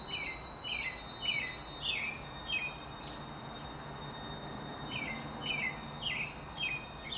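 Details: American robins singing on 28 April 2019, a dog also barking nearby: caroling in two bursts of short, slurred whistled notes, about four per phrase, over a steady high-pitched hum and soft background noise.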